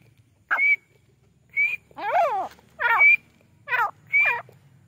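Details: Grey francolin (teetar) mixing short, thin whistled notes with loud, raspy, harmonic-rich calls that sweep down then up, about six notes in five seconds, over a low steady hum.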